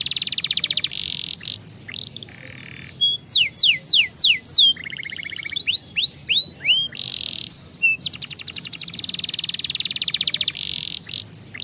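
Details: Canary song meant to stimulate other canaries, with rapid trills at high pitch, fast repeated downslurred whistles and buzzy segments, mixing varied phrases over about twelve seconds.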